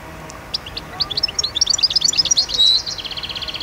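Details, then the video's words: European goldfinch, khalwi song style of Constantine, Algeria, 2012: a continuous, accelerating run of high metallic chirps and twitters, swelling into a brief buzzy note, then trailing off in quieter repeated chips. "Chant De Chardonneret khalwi 2012 غناء الحسون القسنطيني"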